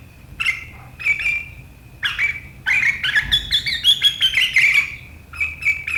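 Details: Sooty-headed bulbul, recorded 7 April 2023, in sharp riwikan chattering said to set rivals off: spaced high squeaky notes over a held whistle, then a dense rising run of harsh chatter.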